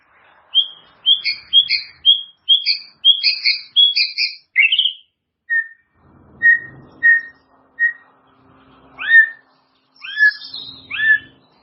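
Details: Training song of the white-rumped shama for caged birds to copy: a string of crisp paired whistles, then spaced single notes and several loud downslurred whistles.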